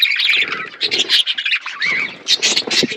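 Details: Budgerigar flock eating food. Lively, clipped chirps and squawks come in quick overlapping bursts, including one short rising whistle near the middle.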